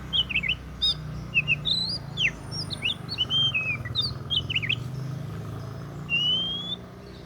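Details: Oriental magpie-robin singing a varied run of sharp whistles, quick upward and downward slurs and short chirps, ending in a long rising whistle, with a constant low hum behind.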